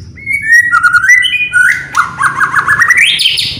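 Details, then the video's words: White-rumped shama song meant to provoke other birds into singing: a string of stepped whistles, then quick repeated warbled notes rising at the end, over low background hum. "DENGAR SEBENTAR SAJA..BIKIN MURAI APAPUN ,,,//,,LANGSUNG,,IKUTAN EMOSI,,BONGKAR MATERI"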